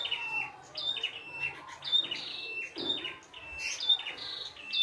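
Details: Red-headed prinia in its natural setting, singing a vigorous full song of bright whistles and buzzy upslurs in quick repeated phrases, with a few soft knocks in the background.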